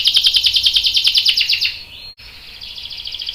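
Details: Canary singing, a young male answering, with a rapid buzzy rolling trill for about one and a half seconds, then a brief gap and a quieter sustained trill.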